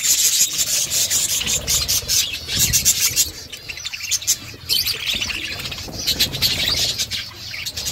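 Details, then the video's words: Dense, continuous chirping from budgerigars as the mother feeds her chicks. Overlapping high twittering and scratchy notes run throughout, with a brief lull near four seconds. "Budgies mother feeding chicks birds chirping sound"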